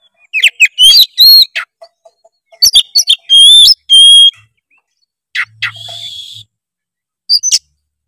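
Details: Lure recording of an oriental magpie-robin in varied 'full isian' song: dense sharp chirps and sustained pure whistled notes, followed by a harsh buzzy note, a pause, and a final chirp.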